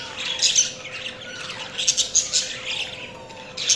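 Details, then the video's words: A flurry of high, squeaky budgie chirps and chatter, loudest in short clusters, with softer warbling between them and a steady faint hum. "Budgies Chirping sounds"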